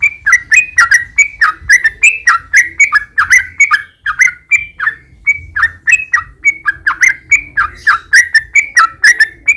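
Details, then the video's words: Yellow-vented bulbul song used as a lure to make caged bulbuls answer: continuous bubbly, gurgling whistled notes, several each second, rising and falling in a chattering flow. "trucukan gacor ROPEL PANJANG buat pancingan trucukan agar bunyi"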